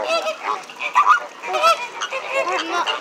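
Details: Captive flamingos at SeaWorld, loud and friendly, give overlapping nasal honks and goose-like calls in rapid irregular bursts, with several birds calling at once.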